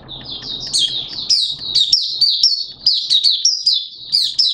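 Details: Caged Malaysian Oriental white-eye singing a fast run of thin, high, downslurred whistles, notes tumbling several per second with brief sharp upward flicks, over a soft low background hum.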